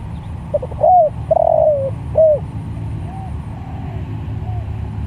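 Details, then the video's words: Spotted dove calling to other doves: one loud phrase of soft lead notes, arched hoot, long descending coo and closing hoot, followed by fainter, more distant answering coos. "Tekukur Sirambo Malemanggil Tekukur||Suara Bagus"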